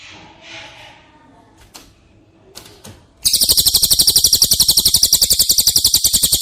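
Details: Cililin song used to train caged White-rumped Shama: soft background chirps and a couple of knocks, then a sudden bright, rapid trill of evenly spaced notes that carries on for over three seconds.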